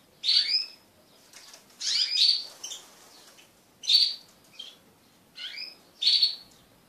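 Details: Short bright chirped phrases from mating crested canaries, five bursts spaced roughly every one to two seconds, each a quick high note cluster.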